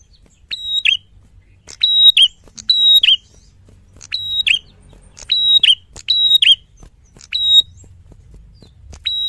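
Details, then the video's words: Loud, frequent song of a Red-headed tit for training songbirds: about seven bright, high whistled phrases, each a click, a level tone and a twisting drop, often paired closely, with irregular gaps and a soft low murmur underneath. "Prenjak Kepala Merah Gacor Fighter Lantang"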